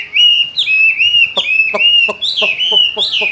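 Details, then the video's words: Caged Chinese hwamei singing a continuous run of loud, clear whistled phrases that slur and rise and fall, with scattered sharp clicks sounding through the song. "Làm thế nào để nuôi được chú họa mi hót như này"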